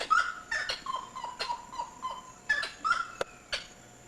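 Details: A wood rail, not clearly seen, in Costa Rica gives loud, harsh, cackling notes in an uneven burst, about two each second, over a steady faint high hum and a low drone.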